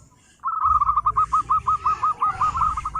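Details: Zebra dove from a local wild strain singing a clean, even series of about fifteen quick pulsed coos, each note evenly spaced, over a faint low hum.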